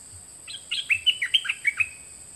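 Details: Song of two birds, recorded in 2020 for training young birds to imitate: a phrase of about nine clear, slurred whistled notes, some swooping down, others rising, spaced roughly a sixth of a second apart, over a constant high-pitched hum.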